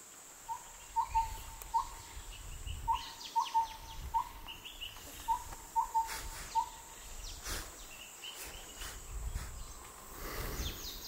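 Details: Chestnut-winged minla in the Mishmi Hills, Arunachal Pradesh, giving short, clear, slightly falling whistled notes in loose runs of three or four, about half a second apart, over steady background hiss.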